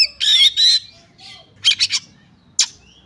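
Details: Oriental magpie-robin in fighting mood, ngobra style full of rapid bursts, meant to test another magpie-robin's nerve: two harsh buzzy blasts, then a pause, a triple burst of scratchy notes and one final rasping note, with quiet gaps between.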